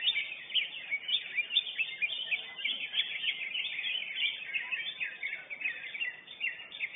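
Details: Competition-winning lesser green leafbird in full song: a continuous, busy jumble of high, scratchy chirps and short trills running steadily throughout, with no other clear sounds.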